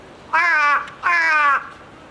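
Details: Large-billed crow at Ueno Zoological Gardens, heard using a variety of voices: two drawn-out, nasal, harmonic-rich caws, each about half a second, slightly falling at the end, separated by a brief gap.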